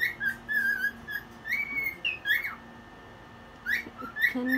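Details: Singing cockatiel, awake and dancing at one in the morning, gives warbling whistled phrases, a long wavering note then rising slurs, a quiet stretch, and more upward-sweeping whistles; faint room hum behind.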